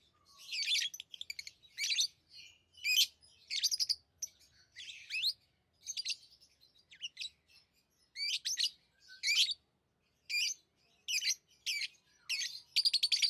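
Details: Tame lovebirds giving sharp, high-pitched chirps in quick clipped bursts, the chattering groups coming about every second over thirteen seconds, with brief quiet gaps between them.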